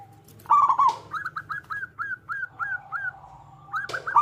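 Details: Zebra dove, a local bird with a loud voice, singing to lure other zebra doves into song: a rippling trill, then about nine short down-curving coo notes evenly spaced, ending with another trill and a faint low hum beneath.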